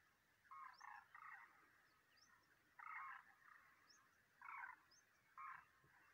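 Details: Migrating Demoiselle cranes in March 2023 call in grating, purring bursts, some doubled or tripled, separated by short pauses, with faint high squeaks between.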